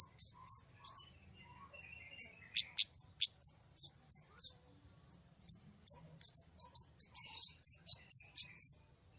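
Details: Clear-voiced white-rumped shama delivering 'nembak' song: a lively stream of high chips and whistles, lower warbled phrases early on, then a dense, quickening run of bright notes at the end.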